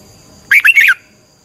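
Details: Single short, loud phrase from a Red-whiskered bulbul training song in 'xoắn tít' style: a quick burst of three or four slurred, warbled whistles lasting under half a second.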